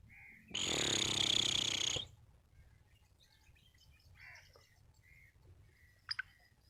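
A black francolin gives one loud, harsh, grating call lasting about a second and a half. Faint chirps from small birds follow.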